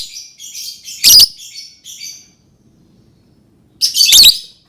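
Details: Lovebird calling in short harsh bursts: a cluster of buzzy high chirps, a loud screechy burst near one second, softer chatter, a pause, then another loud rasping burst.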